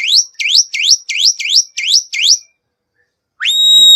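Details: Black-winged myna lure song: seven quick upswept whistles at an even pace, a second of silence, then the start of a long level whistle.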